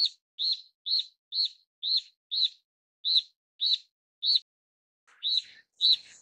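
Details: Steere's liocichla, a Taiwan endemic of broadleaf forest and scrub at 1000–2800 m. It gives a string of short, bright, arched chirps, about two per second, with a brief gap midway and a rougher, noisier note near the end.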